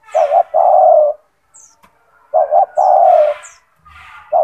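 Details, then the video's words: Spotted dove (tekukur) with a big, loud, gacor voice, kept as a master bird. Two phrases, each a short doubled note leading into a sustained coo, with another beginning at the end. Faint high chirps nearby. "Suara burung tekukur gacor"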